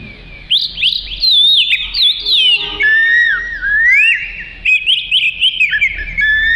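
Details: Oriental magpie-robin (kacer) in full, lively song, offered as tutor material for training other birds: long sequences of bright, varied whistled notes, some slurred downward, some rising, almost without pause.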